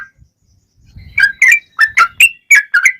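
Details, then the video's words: Male sooty-headed bulbul in fighting song: a soft low rustle, then seven or eight loud, bright slurred whistles in quick succession, some paired. "Trucukan Gacor Tarung ROPEL PANJANG || cocok buat pancingan trucukan agar bunyi"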